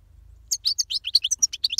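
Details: European goldfinch song fragment: a quick run of about a dozen bright, sharp chirps delivered evenly and rapidly.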